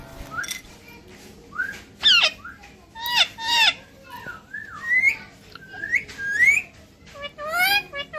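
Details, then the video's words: Parrot vocalizing: a run of loud whistled notes, several sliding upward, mixed with short harsh squawks and chattery bursts, spaced unevenly over about eight seconds against a faint low hum. "parrot talk evrythig"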